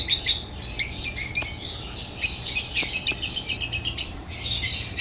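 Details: African lovebirds give clear, sharp chirps in quick repeated series, thin piping notes several per second with scattered squeaks and a couple of faint clicks.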